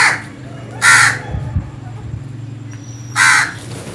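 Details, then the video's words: Loud, raspy crow caws in the morning, two clear calls about two seconds apart over a low steady hum. "Crows Sounds"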